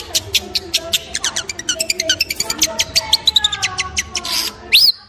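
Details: Long-tailed shrike song built from a long, rapid series of sharp, clicking notes, some doubled, ending in one loud rising whistled sweep.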